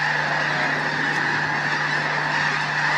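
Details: A huge flock of snow geese (Anser caerulescens) taking off en masse in the morning at Bosque del Apache makes a dense, unbroken roar of high, nasal yelping honks over a low steady hum.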